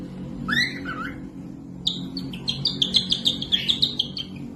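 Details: Cockatiel, kept for teaching other birds to sing, giving two rising slurred whistles, then a rapid series of sharp repeated chirps over a low background hum.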